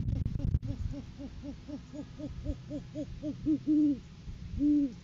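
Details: Great horned owls in courting season, caught on a live cam as the male brings a food gift to the female: a rapid run of short, arched, low hoots speeds up, then gives way to three longer, louder hoots.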